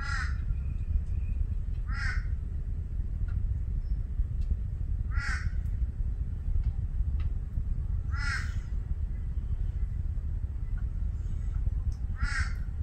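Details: Torresian crow giving five harsh, nasal caws spaced roughly two to four seconds apart, each a short descending stack of tones, over a steady low rumble of background noise.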